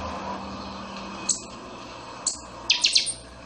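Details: Pixoxó (buffy-fronted seedeater) delivering chanchão song: two isolated sharp high notes about a second apart, followed by a rapid ringing trio of notes, steady low hum underneath.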